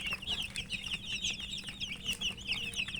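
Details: Murgi chicks, domestic chickens, eating amid a steady stream of shrill high chirps, roughly one a second from each bird, overlapping with soft clicks and a low hum.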